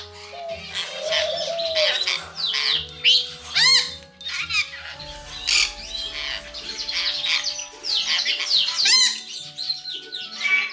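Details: Rainbow lorikeets kept as pets chatter and squabble, stepping in to break up a fight: loud grating squawks and screechy chirps in irregular bursts, with some sharp descending notes, backed by quiet music.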